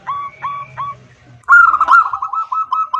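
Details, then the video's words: Female zebra dove calling to the male: three separate short coos, then a loud, fast rolling series of cooing notes that runs to the end. "Suara Perkutut BETINA Memanggil JANTAN || The sound of a female turtledove calling male."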